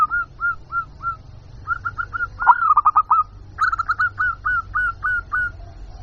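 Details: Local zebra dove lure call used to draw in wild birds: short upslurred cooing notes in quick series, a faster rattling run midway, then more evenly spaced coos, with a low background hum.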